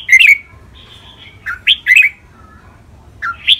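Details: Red-whiskered bulbul kept in a cage, one of two competing birds, delivering Thai contest-style song with counted phrases: a bright, bubbling whistled burst, a thin level note, then two quick, loud warbled phrases and a final rising whistle.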